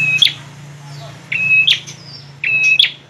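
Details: Bar-winged prinia song, three matching phrases about a second apart, each a level, thin whistle that snaps into a bright, abrupt accent note, over a low steady hum.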